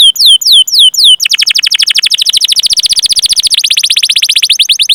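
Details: Canary rolling song ('ngerol'), used to stimulate other canaries to sing: a few looping high chirps, then a long, rapid, even trill of short notes for nearly four seconds.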